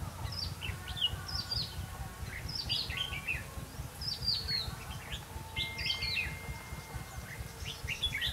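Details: On 5 November 2016 a decoy red-whiskered bulbul sings during trapping: crisp chirped phrases of descending slurred notes recur regularly every second or so, over steady low-frequency background rumble.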